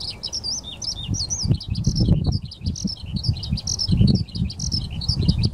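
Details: Eurasian skylark, parent with chick, recorded at Ogura on 10 May 2024; bright high warbled phrases with looping, slurred whistles and quick chirps pour out continuously, backed by gusty low wind buffeting.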